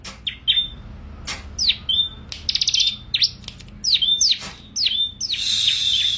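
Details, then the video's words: Bar-winged prinia, called ciblek, in lively song: bright, high chirps swooping down into short flat whistles, delivered in quick bursts with brief pauses. A hissy rustle is heard near the end. "SUARA BURUNG CIBLEK GACOR"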